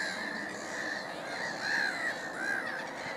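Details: Black-headed gulls at Middleton / Fishers Mill, with a Mediterranean gull in the group; a few drawn-out, grating cries rise and fall above a constant murmur of other gulls calling in the background.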